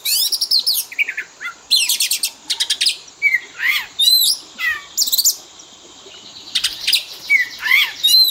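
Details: Oriental magpie-robin lure and fill-in song for training kept birds: rattling buzzes and bursts of rising whistles and twisted notes, a quiet gap around six seconds, then more whistled loops.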